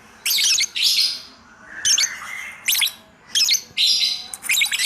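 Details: Lovebird in ngacor song, a hobby bird, producing harsh high twittering bursts with chirps mixed in, broken by brief gaps.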